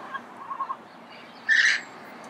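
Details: Early-morning Pasadena recording of a red-crowned amazon: soft scattered chatter in the background, then one loud, harsh squawk lasting about a third of a second.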